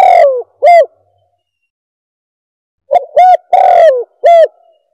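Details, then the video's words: Spotted dove calling, used to lure doves: a falling croo and a clear coo, then after a pause a fuller phrase of short coos, a long husky downward croo and a final hoo. "Suara Pemanggil Burung Tekukur | Bird Caller"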